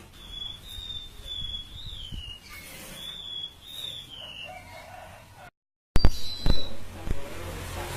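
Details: Siur laut bird singing actively: repeated high, wavering whistled phrases that slide downward, followed by a short silence and loud knocks and bumps.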